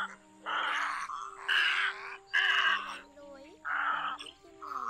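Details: Black-billed little egrets, a recording used for night net trapping in August 2024, give harsh, hoarse 'ot ot' croaks in rough bursts about once a second as they squabble, over a faint steady electronic hum.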